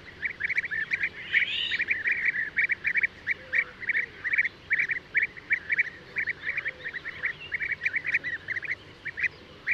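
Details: European bee-eaters calling steadily: dense, evenly spaced, short trilled notes repeat many times a second, with a brief higher-pitched call near the start.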